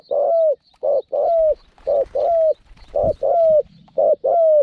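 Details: Caged spotted dove used as a decoy to lure wild doves into a trap, noted for a small voice and frequent cooing: short mid-pitched coos repeated about once a second, some ending in a level drawn-out tail, with faint rustling and knocks.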